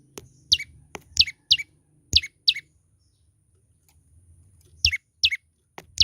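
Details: Young olive-backed tailorbird singing actively: sharp, high chirps that sweep steeply downward, given singly or in quick pairs and triples, about ten notes with a pause in the middle, over a faint low rumble and a few clicks.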